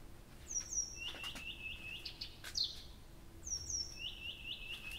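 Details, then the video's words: At Abramtsevo on a June night in 2021, a nightingale sings all night: paired high whistles dropping into fast repeated trilled phrases, the pattern coming twice within five seconds over quiet background. "Соловей поёт всю ночь"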